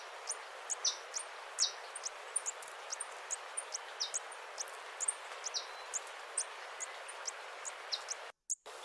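A Crimson Topaz gives thin, very high chips in quick, uneven series, several each second, over a steady hiss of forest background noise.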